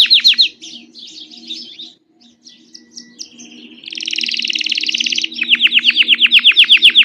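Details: A grey Belgian canary sings quick falling whistled notes, then a fast buzzy roll, then a run of sharp repeated chips about four per second, over a low hum.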